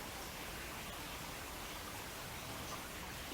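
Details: Steady broadband rushing noise, like flowing water or wind in a woodland, continues throughout with no clear animal calls.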